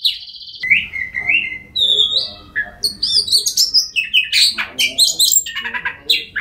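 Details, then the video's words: Oriental magpie-robin singing, played to prompt silent birds to sing: loud varied phrases of whistles, slurred notes and harsh chattering bursts, mostly high-pitched, with rapid changes in tone. "Kacer Bisu, Dijamin Bunyi Setelah Mendengarkan Suara Kacer Ini.."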